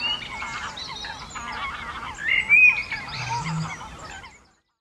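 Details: Two male Eurasian bitterns (Botaurus stellaris) at a reedbed at dusk, RSPB Otmoor, during a threat display and brief fight: harsh, rasping, honk-like squawks in quick irregular bursts, one louder strained cry near the middle, then quiet.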